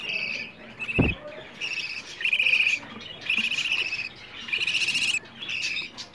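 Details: Food-begging calls of budgerigar chicks, used to prompt budgies to mate and lay eggs: a series of short, scratchy buzzing bursts of varying length, with one sharp click near the start.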